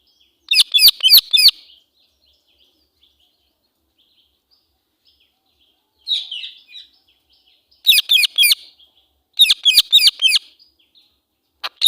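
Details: Female Indian ringneck (rose-ringed parakeet, Psittacula krameri) angry call: harsh, high screeches in quick bursts of three or four, with pauses of a few seconds between bursts.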